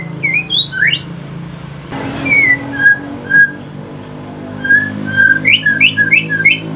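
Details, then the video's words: Male Aceh white-rumped shama in pastol-style song: a few loud whistled slurs, then spaced single clear whistles, ending with a quick rising series of sharp notes, with a low background hum and faint noise. "Kicauan sore hari murai mutasi ke pastol si paling cerewet"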